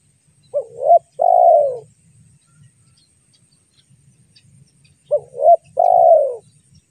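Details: Spotted dove call used to lure birds: two coo phrases roughly four seconds apart, each with two quick wavering notes then a long, loud coo sliding downward; faint low background rumble between phrases.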